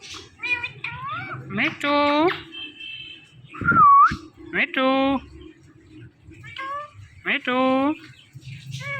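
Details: Talking Indian ringneck parrot imitating speech and its own name: nasal, word-like phrases with rising and falling tones, a short pure whistle in the middle, repeated in several spaced bursts.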